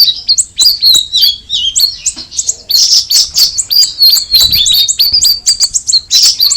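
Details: Sooty-headed bulbul (cucak rawis) singing: a rapid, lively run of high, sharp chirps and short whistled slurs, some dipping and some rising, tumbling in quick irregular bursts with brief pauses between phrases.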